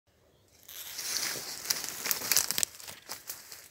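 Crinkling, crumpling and tearing noises build after a quiet start, with sharp bright crackles but no animal voice.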